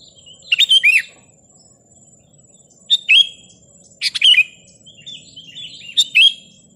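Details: Sooty-headed bulbul song used to provoke rival birds and make wild bulbuls excited: four short bursts of bubbly, whistled notes dropping in pitch, about one every second or so, with a faint steady high hiss behind.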